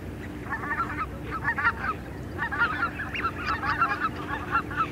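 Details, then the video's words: Greater white-fronted geese, a small group calling in flight: a dense chorus of overlapping high, yelping honks in quick bursts, steady low background rumble underneath. "White-Fronted Goose. MCU Small Group Of Geese Calling In Flight"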